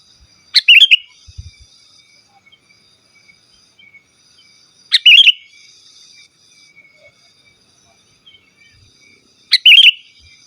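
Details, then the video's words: Sooty-headed bulbul in full song, without mimicked fillers, used to call rival wild birds and tutor caged bulbuls: three short bubbly, whistled phrases, each a sharp note then a quick warble, spaced about four to five seconds apart over a quiet background. "Suara Burung KUTILANG GACOR Asli Tanpa ISIAN Ampun Untuk Suara Panggilan dan Masteran"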